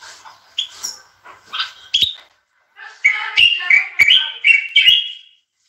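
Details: European goldfinch singing: a few scattered high chirps, then from midway a dense run of twittering, slightly buzzy notes warbling up and down for about two seconds. A bulbul may also be present.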